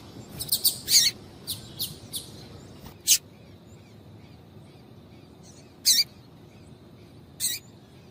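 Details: Female double-collared seedeater calls intended to stimulate males to sing: a cluster of high twittering chirps at first, then single sharp chirps spaced a few seconds apart, over low background noise.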